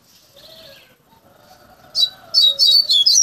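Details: Caged double-collared seedeater (coleiro), a Bahia-style singer tutored from chickhood for three to five months into a fluted song; after faint low tones, loud high whistled notes burst out in quick repeated phrases over the final second.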